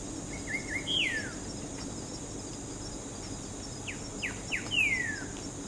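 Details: Greyish saltator (Saltator coerulescens), song.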